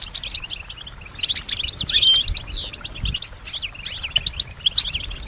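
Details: Kept European goldfinch, noted for imitating surrounding sounds like other birds and people; twittering song of sweeping, slurred high notes and rapid chirps in clustered bursts.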